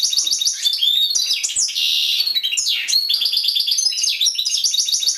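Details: Goldfinch in a cage delivers a continuous, fast twittering song of high tinkling notes, buzzy drawn-out phrases and swooping slurs without a break.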